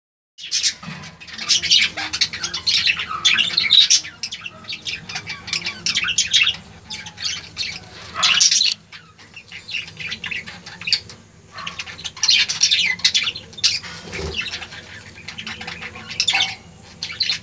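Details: Baby budgerigars keep up a dense chorus of harsh, raspy squawks and chirps.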